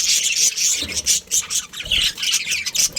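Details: Kept budgerigars, a breeding pair within a colony, keep up a busy high-pitched chorus of rasping squawks and quick tweets, with brief dips in volume between bursts.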